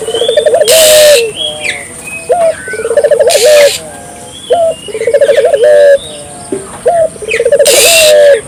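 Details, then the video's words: Barbary dove calling persistently to prompt local doves to answer: a string of low phrases, each a clipped note followed by a quick rolling trill, about every one and a half seconds, with other birds chirping and short noisy bursts. "suara burung puter gacor,merangsang burung puter lokal ikut gacor"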